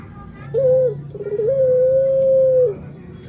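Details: Barbary dove cooing: a short steady tone, a brief break, then one long, even, sustained coo lasting over a second, with a faint low hum beneath.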